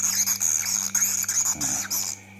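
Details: Swiftlets give a dense, high, steady twitter of quick repeated notes over a low electrical hum; they may be gathering, quarrelling or courting.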